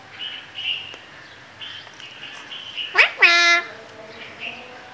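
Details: Parrot mimicking Urdu/Hindi speech: soft chattering syllables build to a sharp rising note and then a longer harmonic, voice-like phrase, with quieter chatter afterwards.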